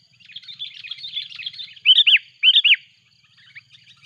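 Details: Sooty-headed bulbul calling loudly and noisily as a rival arrives, used as a lure sound: soft twittering chatter, then two loud bubbly, rolling phrases of looped notes, followed by faint scattered chirps.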